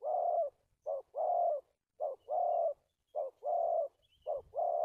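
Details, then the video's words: Spotted dove used as a decoy for trapping, recorded 1 March 2019, giving a stuttering coo: low, hollow notes in short-then-long pairs, four pairs in about five seconds, each long note held steady. "Bẫy cu gáy bổi cà lăm 2 3 tiếng đầu"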